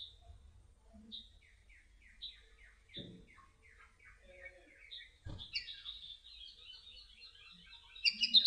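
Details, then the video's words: An olive-backed sunbird (konin) gives high, thin chirps and sweeps repeated about every second, then a quicker, jumbled twittering run near the end, with two soft knocks in the background; a tutor recording. "KICAUN KONIN KOLIBRI NINJA SINGING BIRDS"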